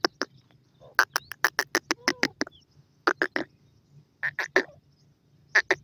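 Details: Mating-season grey francolin giving loud, strident, clipped notes in rapid bursts. The bursts are separated by short pauses, with faint hum beneath.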